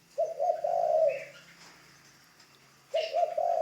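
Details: Ground decoy spotted dove in early training: two deep, rolling coo phrases, each starting with quick stuttered notes that run into a drawn-out hoarse coo. Faint chirping is heard between them.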